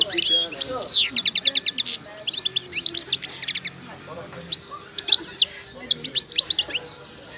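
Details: Wild Moroccan goldfinch, wiydani type, in its moulting stage, delivering a lively song of fast repeated sharp chips and liquid high twitters, strung in dense bursts with brief gaps.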